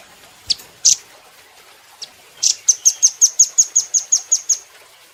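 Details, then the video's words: Velvet-fronted nuthatch (rambatan doraemon) on a cage-bird training recording: a few scattered sharp high notes lead into a rapid, even series of about twelve piercing high chips. "Rambatan Doraemon Super Gacor"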